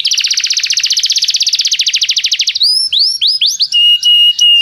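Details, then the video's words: Canary song used as a tutor for training other canaries: a fast, even buzzy trill of about forty notes for two and a half seconds, then looping rising whistles and a steady high piping note at the end. "professor para o seu canto canário em breve - o melhor treinamento canário"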